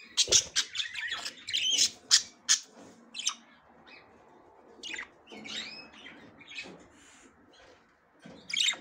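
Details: Female budgerigar attempting to go into the nest for the first time. A fast run of harsh, high chirps and clicks, crowded together at first and then thinning out, with a short rising whistle in the middle and scratching underneath.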